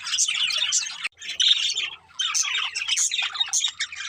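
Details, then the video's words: Pet budgerigars chirping and singing while playing: dense, continuous warbling chatter of rapid chirps and squeaky notes, with a brief pause near the middle and another short lull before the busy twittering resumes. "Budgies Chirping Sounds | Happy Parakeets Sing and Playing"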